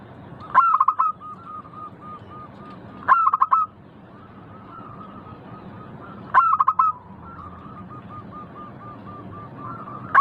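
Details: Local zebra dove singing: sharp, loud stuttered phrases repeat roughly every three seconds, each followed by a long trail of soft even coos from surrounding doves.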